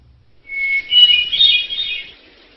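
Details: A thrush singing in the wild gives a brief, high phrase: a clear whistled note leading into a rapid, warbling flourish lasting about a second and a half.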